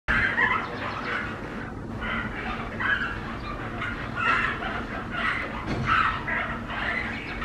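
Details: A rescued flamingo chick, abandoned during a drought and being fed formula by syringe, gives a near-continuous run of high, reedy cheeps, rising and falling in quick bursts, over a low background rumble.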